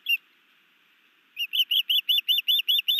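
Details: A single sharp whistle, a pause, then nine quick piercing chirps from a newly arrived male osprey sky dancing and delivering a fish to his mate above a nest in Missoula, Montana, May 2019.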